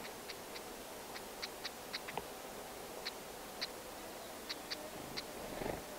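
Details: A pair of black-headed stonechats feeding chicks at the nest, three days before fledging, give hard, clicking 'tack' notes like two pebbles knocked together, repeated irregularly about two to three times a second against quiet background noise.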